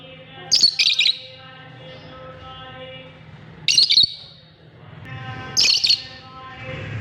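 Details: Lovebirds calling: three bursts of shrill, high chirps, each lasting about half a second and spaced a few seconds apart, over a low steady hum with faint tonal background sounds.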